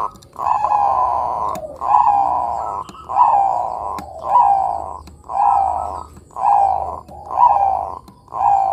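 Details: Bangkok-type zebra dove singing actively, used as a lure to get young doves singing: about seven mellow, rolling cooing phrases, each roughly a second long, repeated steadily with short pauses, some faint clicks between.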